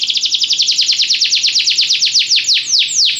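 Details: Belgian canary in song for training: a fast series of about twenty-five sharply falling whistled notes, loud and clear, gradually slowing and spreading out toward the end.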